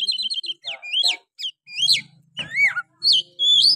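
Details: Oriental magpie-robin singing rough, rapid phrases to provoke rival males: quick repeated chirps, upswept whistles and looping slurred notes, with a low steady hum in the background.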